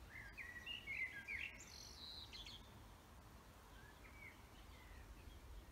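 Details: Wild birds singing in a forest: a burst of whistled, warbling phrases between two and eight kilohertz in the first two seconds, then fainter scattered chirps over a low steady rumble of background noise.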